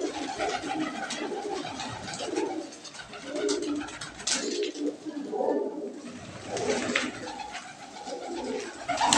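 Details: Many fancy pigeons of a crested, feather-footed Surat breed, a lot of 80 birds kept indoors for sale, giving low soft cooing phrases that rise and fall repeatedly, with occasional sharp clatters and wing noise in a small room.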